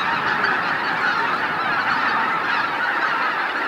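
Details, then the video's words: Large flock of greater white-fronted geese entering their roost at Miyajima-numa, Bibai, Hokkaido, Japan, 2016. A steady, unbroken roar of countless overlapping honks. No single call stands apart; the level stays even throughout. "宮島沼のマガン ねぐら入り - 美唄市 2016 White-Fronted Geese in Miyajima-numa"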